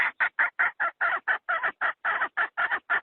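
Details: Trapping decoy hen calling in a fast, insistent series of about fifteen short harsh clucks packed into three seconds, evenly loud and nasal, with nothing else heard.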